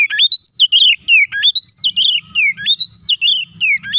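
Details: Loud fighting song of a white-rumped shama, aimed at making other shamas angry: rapid sweeping whistled phrases rising and falling, over faint low background noise.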